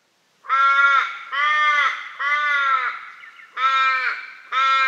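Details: A raven in Western Australia, with corellas present, gives five harsh, drawn-out caws, each nasal and slightly arched, spaced about a second apart.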